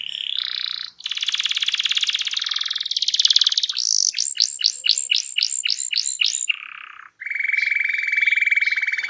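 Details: Canary singing energetically to coax quiet birds into song: buzzy rolling phrases, then a run of about eight upswept whistled notes, a low buzzy roll and a long steady rattling trill.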